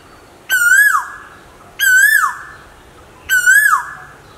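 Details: Asian koel calling, male and female birds featured: three strong whistled notes evenly spaced roughly every one and a half seconds, each swelling upward to a crest before falling away quickly, ringing with overtones against near silence.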